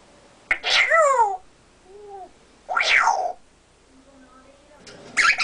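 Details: Indoor pet male African grey parrot, mimicking speech and burping, makes harsh rasping bursts with falling harmonics, separated by soft low hums and short tones.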